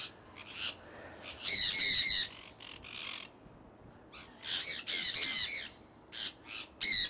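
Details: Harsh, grating screeches from a pet conure flock flying out and about in Iowa in early spring 2003, coming in ragged bursts with short gaps, several overlapping calls near the middle.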